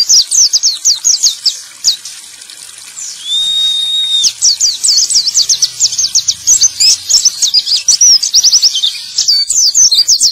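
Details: Male white-eye singing to stimulate other white-eyes that have stopped singing: rapid, high, sharply slurred chirps in quick bursts, broken near the middle by one long steady whistled note, then more fast twittering.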